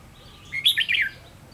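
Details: Red-whiskered bulbul kept as a trapping decoy, recorded 7 November 2016: a brief, clear phrase of three liquid, slurred whistles, each dropping slightly in pitch.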